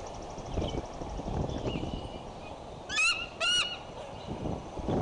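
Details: Female bald eagle guarding her nest at Decorah on 15 April 2012, scolding after an alert while the male was defurring a grey squirrel; two loud, high, piercing chattered bursts about half a second apart over steady wind rumble.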